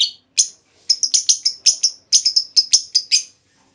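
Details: Female lovebird calling as a lure meant to set off long trilling in other lovebirds; a steady series of about a dozen shrill, clipped chirps, some doubled, delivered in quick succession with brief pauses.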